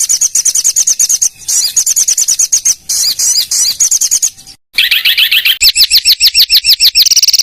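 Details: Indonesian training recording of bird song for contest birds, featuring tightly packed rapid-fire fills; fast high warbled chatter with brief breaks, a spliced gap, then descending buzzy slurs and rapid repeated chips.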